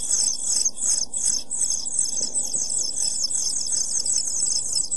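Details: Pied flycatcher nestlings aged seven days begging in a nest box, recorded by nest box camera on 23 June 2012: a dense, unbroken wash of high squeaky chirps, rhythmically swelling and fading, over faint low hum.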